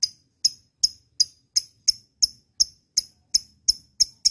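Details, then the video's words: Lovebird described as 'auto nyaut', giving a steady series of single sharp, high chirps about every third of a second against silence. "Love bird - auto nyaut"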